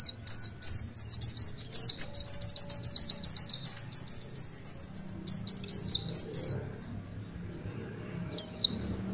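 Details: Oriental white-eye singing a long tulitwitwit phrase: several sharp high whistles lead into an extended, very fast series of repeated twittering notes lasting about four seconds, followed by quiet and one final slurred whistle.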